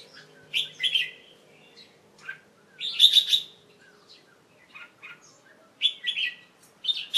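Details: Young male Red-whiskered Bulbul, a kept bird, singing on 1 January 2012 in late afternoon after a bath; short bright warbled phrases in three bursts, about a second each, with quiet pauses between.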